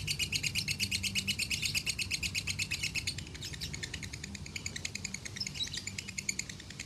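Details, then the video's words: Lovebird from Salatiga in the konslet song style, reaching 8400 points, delivers a fast, even chatter of high sharp chirps about three per second's fraction, steady for seven seconds over a faint low hum. "Masteran Lovebird Konslet ASLI"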